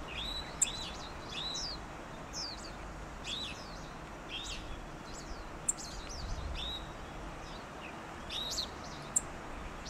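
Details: Japanese yellow bunting (Emberiza sulphurata) in Pingtung County, Taiwan, 16 November 2019, calls with short, high, thin chirps and sharp ticks, scattered irregularly every second or so over a steady background hiss.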